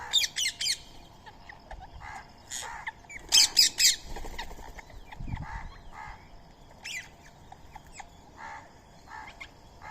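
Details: Rose-ringed parakeet (Psittacula krameri), a pet Indian Ringneck at daily feeding time on soaked rice and corn with a squirrel nearby, gives harsh, grating squawks in short bursts and clusters at an uneven pace over a steady low hum.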